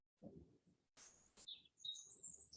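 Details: Several birds sing a beautiful morning chorus of short, high whistled notes and thin chirps in quick succession, faintly under a soft speaking voice.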